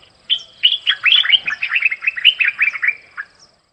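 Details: A bird sings a lively, rapid twittering of short, bright, downward-slurred notes, about twenty in three seconds, ending abruptly in quiet.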